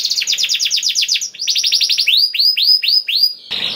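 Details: Vigorous canary song meant to trigger singing in other birds: a rapid series of descending notes about four per second, then slower rising-and-falling whistles, closing with a short harsh buzz.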